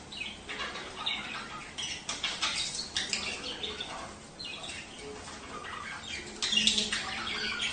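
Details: Budgerigar sounds meant to prompt breeding: dense, continuous chirping chatter with rapid scratchy notes, some wing flutter, and a louder burst near the end.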